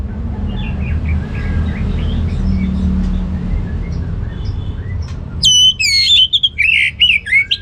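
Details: Orange-headed thrush in ngeplong gacor song. Faint scattered chirps over a steady low hum give way near the end to a loud, rich run of sweeping, varied whistled phrases.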